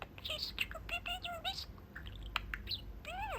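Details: Pet budgerigar chatting with its owners from its cage window perch; rapid run of warbled, buzzy chirps and short harmonic squeaks, ending with a clear rising-falling whistled note.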